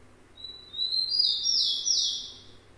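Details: Tico-tico, the rufous-collared sparrow, sings a high whistled note that rises into a loud, slurred, sweet phrase, then fades.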